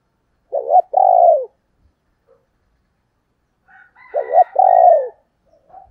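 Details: Female spotted dove calling in 'thổ đồng' voice to attract wild males: two matching phrases about three seconds apart, each a clipped note followed by a long, round, slightly descending coo, with a faint note at the end.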